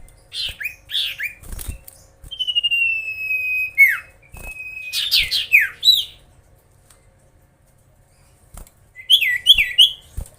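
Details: Magpie-robin song for provoking rivals: scattered sweeping chirps, a long steady whistle gently falling, more swooping notes, a silent gap, then a quick cluster of downward-swept whistles, with faint knocks throughout.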